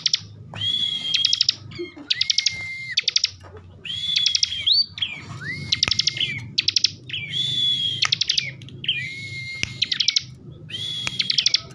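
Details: Bar-winged prinia, a kept bird from Slawi, Tegal, Central Java, Indonesia, singing an excited 'ngebren' song: a rising whistled note followed by fast buzzy trills, repeated in phrases about every one and a half seconds, with sharp clicks between.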